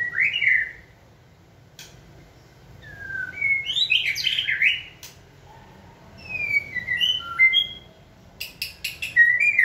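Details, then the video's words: Caged white-rumped shama in training, prompted by human cues to sing: clear whistled phrases that rise and fall in varied notes, separated by short pauses, with a few sharp clicks near the end. "Kỹ thuật kích thích lửa cho chim hót (shama bird)"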